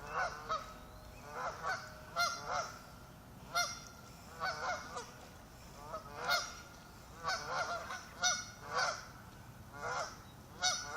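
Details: Ducks at a lake, retreating across the water from someone at the shore, keep up a run of honking warning calls, coarse and harmonic, often in quick pairs or trios, with brief gaps between bursts.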